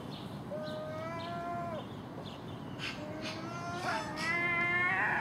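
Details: Early-morning common gulls squabbling over garbage put out at a house, with a magpie and crows also present: long, level mewing cries, a pause, then several more wailing calls close together, mixed with short rasping bursts.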